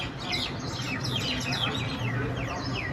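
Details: Street mynas clashing on a road give rapid, downward-sliding chirps, many overlapping and repeated several times a second, over a low background hum.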